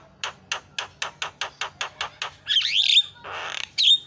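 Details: Fast Javan myna singing, played to make other mynas start calling: about ten evenly spaced harsh clicking notes roughly four per second, followed by a loud squawk, a rasping hiss and a sharp whistled note.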